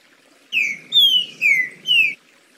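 A green-winged saltator sings four loud, clear whistled notes in quick succession, each sliding downward in pitch, over a faint low background rumble.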